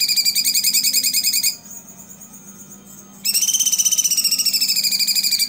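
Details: Tutor recording of a Blue-winged Leafbird (cucak cungkok) singing the 'tembakan' style: rapid pulsing whistled trill, a pause of nearly two seconds, then another fast ringing trill that slowly drifts lower.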